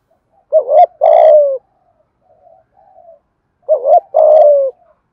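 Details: Spotted dove from Đồng Nai cooing to excite decoys and attract wild doves: two phrases, each a quick warbled double note and a longer falling coo, with faint soft notes between and slight clicks.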